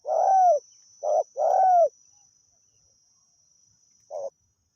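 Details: Spotted dove from the wild, lured by a decoy, giving loud soft-toned coos: a long note, a short one, another long arching coo, then after a pause a single short note. A high insect drone runs underneath.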